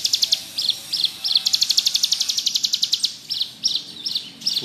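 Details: Bar-winged prinia singing in the vigorous ngebrem style: high, sharp chirps in short repeated bursts, then a rapid, even buzzing trill, then more separated chirps, with a faint hiss behind.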